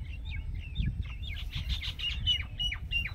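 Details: Green parrots, kept as pets, calling in a rapid series of sharp, high chirps and short squawks over a steady low rumble of background noise.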